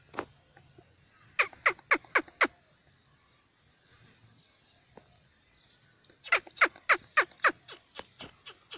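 Black francolin calling in loud series of sharp, broadband clicking notes, about four per second, with one lone note first and faint rural background noise.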